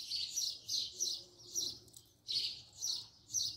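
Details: Close view of a house sparrow chirping: loud rasping chirps nearly two per second, a short gap midway, then the series resumes; faint background hum.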